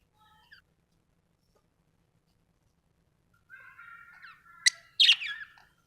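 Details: Lovebird chirping: near silence with one faint chirp at first, then a two-second run of harsh, high chattering chirps and squawks before it stops again.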